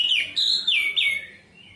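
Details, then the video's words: Orange-headed thrush, a caged songbird, delivering a brief sequence of loud downslurred whistles, each note sliding from high to lower pitch, then fading. "pancingan Anis merah macet bunyi terapi anis merah cepat gacor"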